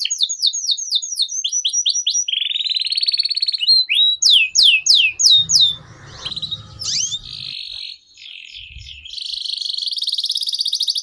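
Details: Canary in long continuous song, a lure and tutor song for young birds: falling whistled sweeps, a rolling trill, more sharp downslurs, then a rough noisy patch before a high fine trill resumes.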